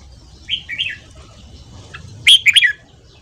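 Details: Red-whiskered bulbul singing in the morning in fast ché style, used for voice training and to stir up wild-caught birds: two short whistled warbles, a pause, then a loud burst of sharp, rapid notes.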